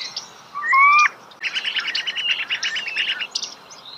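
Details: Starling singing close by in nature: a loud, steady double whistle, then a quick wavering warble of buzzy, trilled notes.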